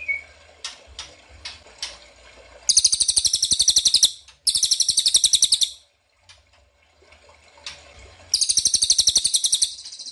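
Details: Ashy tailorbird call played as a lure to draw answers: a few scattered sharp ticks, then three long rattling trills of rapid high pulses separated by brief pauses.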